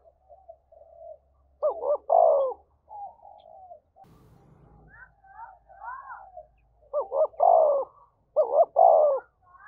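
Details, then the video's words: Spotted dove giving fight-provoking coos: paired short hooting notes followed by a longer falling coo, repeated several times, with soft murmured notes between phrases and a brief low thump midway. "tiếng chim cu gáy thúc đấu"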